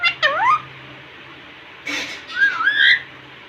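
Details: Indian ringneck parakeet in front of a mirror utters dipping, swooping speech-like syllables, a short noisy burst, then a rising and falling whistled phrase.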